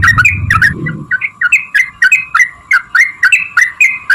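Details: Sooty-headed bulbul singing to draw replies from other birds: rich liquid whistled phrases, each rising then falling, repeated about twice a second, after a short burst of low rustling noise.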